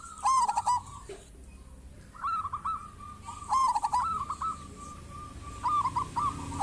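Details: Local zebra dove singing steadily, offered as a lure to prompt other zebra doves to call: stuttering, rolling coo phrases, with a longer drawn-out tremulous run in the middle and softer background noise throughout.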